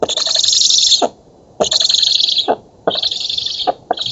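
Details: Black stork young begging as food arrives at their nest in an oak, Poland, 11 August 2017: long, grating, hissy wheezes in close succession, each cut off by a click before the next.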